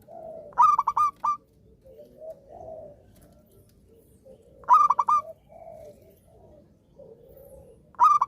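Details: Active Zebra dove song, meant to encourage silent doves to sing again: clear repeated phrases of three to four rapid, ringing coo pulses about every four seconds, separated by quiet, lower burbling sounds.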